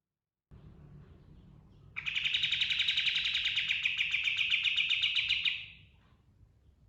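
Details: Pied triller song with full fill: after quiet, a loud rapid rattling trill of regular pulses at steady mid-high pitch runs about three and a half seconds, then fades out.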